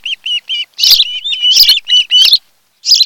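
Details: An osprey at a nest on Kent Island, Maryland, on Chesapeake Bay, in the afternoon of 26 July 2018. One of a mated pair, it gives a run of short, high whistled chirps, several a second, broken by harsher rasping bursts and a soft flutter of wings.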